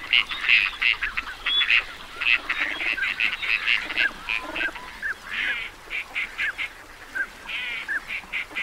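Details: Teal calling: bursts of short, clipped nasal notes repeated in quick series, with occasional rising whistled notes among them. Several birds call at once throughout.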